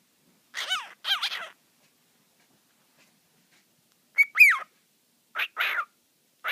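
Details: A male cockatiel gives short bursts of swooping, harmonic whistles, mimicking its own name, which he says over and over.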